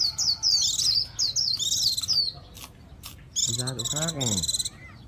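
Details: A caged warbling white-eye, about to be put in to bathe, sings a fast, high, tinkling warble of rapid chirps in two bursts, with a brief low human voice beneath the second burst.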